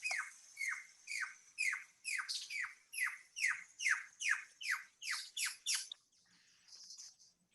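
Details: In Cuba, a Cuban pygmy owl, a Cuban endemic that breeds in old woodpecker holes, gives a steady run of about a dozen sharp, squeaky, down-slurred notes, roughly two per second, then falls quiet.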